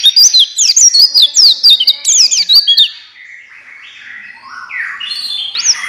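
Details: White-eye of the buxtoni type, a song meant to make white-eyes sing readily: a fast burst of high slurred chirps, then softer, lower drawn-out warbled notes trailing off.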